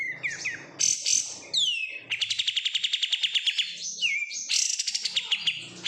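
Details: Oriental white-eye in captivity, raised from market bulk stock, singing sharp descending whistles, then a long fast buzzy trill of repeated high notes, a downslurred whistle, and another rapid trill.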